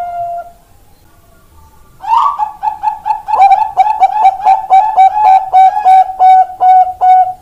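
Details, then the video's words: Zebra dove of the Perkutut Bangkok type, recorded 4 March 2023: a soft opening coo, a brief gap, then a rising flurry that settles into a long series of rapid, evenly pitched staccato coo notes. "Perkutut Bangkok Indo Perkutut"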